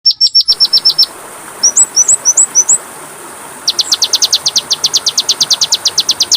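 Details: Oriental magpie-robin training song (masteran) meant to rouse caged birds: a run of sharp repeated high notes, then several rising whistled slurs, then a fast even series of high clipped notes. The background is quiet.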